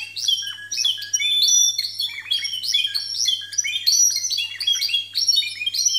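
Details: Contest canaries singing timbrado discontinuo, scoring 92 and 93 points, captured with imperfect sound; rapid repeated rolling trills and bell-like notes in quick changing phrases, a steady faint low hum underneath.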